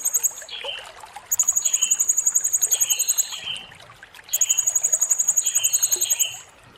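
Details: Serindit song recorded clear as a tutor track for training other songbirds: very high thin rapid trills in two bursts of about two seconds each, mixed with lower slurred whistled notes repeated through.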